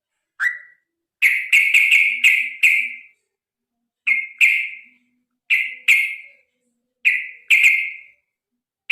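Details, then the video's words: Sooty-headed bulbul in long fighting song, played so birds sing often: bright, loud whistled notes in quick runs of three to five, then pairs, separated by short silences. "suara trucukan gacor tarung ropel panjang"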